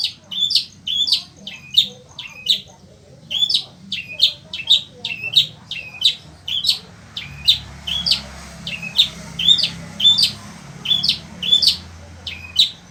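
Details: Long-tailed shrike of the sembur type, a kept songbird, singing nonstop (melocor) in desert-like heat: loud harsh high chattering notes repeated about twice a second, with a faint low hum behind.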